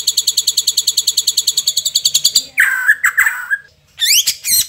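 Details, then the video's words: Indonesian White-rumped Shama song with mimicked isian of sogon, cricket, cungkok and lovebird. It opens with a rapid, steady run of high ticking notes, then drops to lower warbled phrases, then gives two quick rising high sweeps. "Isian Istimewa | Sogon_Jangkrik_Cungkok_Lovebird | Shama Bird INDONESIA"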